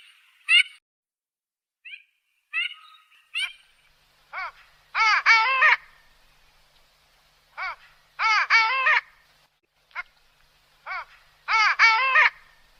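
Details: Duck giving short clusters of two or three rasping quacks, with a pause of a few seconds between groups, after several thin, high, upslurred chirps at the start.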